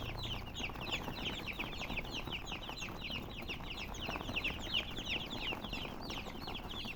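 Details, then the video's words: Chickens (murgi, colored) peeping about three times a second in an uneven, overlapping stream of sharp falling chirps over steady low noise. "silly chicken chirping sounds with murgi hen color chicken"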